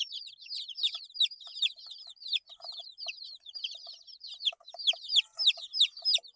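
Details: A brood of 8-day-old chicks peeps constantly, bright downward-swooping chirps from many birds overlapping, with light tapping noises scattered throughout.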